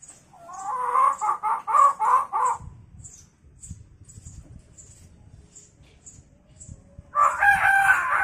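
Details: Hill myna copying chicken calls: a steady string of clucking notes for about two seconds, a pause with faint ticks, then a loud, harsh, rasping outburst.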